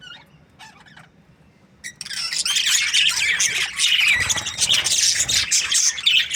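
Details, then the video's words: Budgerigar breeding pairs: a few scattered high chirps over near quiet for two seconds, then a sudden loud burst of massed squawking and twittering that carries on to the end. "Budgies parrot chirping sounds | Australian parrot breeding pairs"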